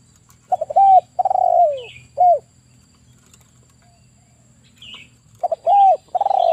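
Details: Male spotted dove used to lure birds for trapping repeats its coo phrase, stuttered start, arched note, long descending quavering coo, short coo, then begins again. Faint high chirps from other birds in the background.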